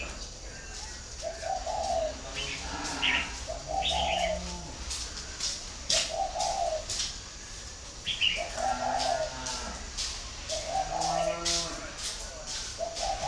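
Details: Spotted dove from a northern Vietnamese breeding farm in Ba Vì cooing steadily, low hollow phrases repeated about every two seconds, among sharp clicks, rustling and brief high chirps from other birds.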